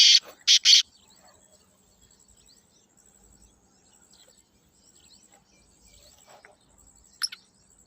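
Three harsh, grating notes of a black francolin in quick succession open the recording, with one more rasping note near the end over a faint high insect hiss.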